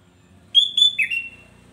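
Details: Sooty-headed bulbul song used to provoke other bulbuls: a short phrase of two clear whistled notes, then a lower gliding, bubbly whistle that fades out, with faint low hum beneath.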